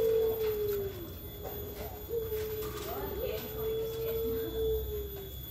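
A turtle dove gives a long, low, drawn-out coo that holds an even pitch for several seconds, with a faint hum and murmur behind it.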